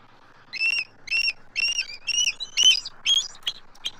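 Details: An adult eagle pair on their Southwest Florida nest tree, 12 March 2024, reacts to an immature intruder circling overhead. High piping notes repeat about twice a second in a steady series, rising near the end.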